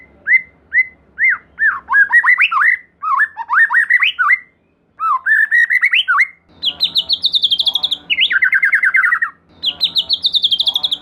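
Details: White-rumped shama, a lively singer, with song used as a lure to prompt another shama: rapid varied whistled phrases, then fast trilled notes at high and lower pitch, with a brief pause mid-song.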